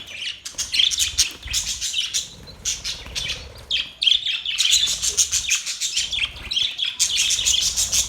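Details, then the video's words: Happy budgerigar chirping, a continuous high scratchy chatter of quick rasping notes and short whistled warbles with brief pauses, lively and unbroken for most of the stretch. "Budgies Birds Happy sounds | Budgies birds chirping sounds"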